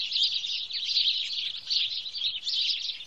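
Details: Recorded in Wittlich in 2017, a group of house sparrows twitters loudly: clustered high chirps surging in waves roughly seventy times a minute, never fully stopping.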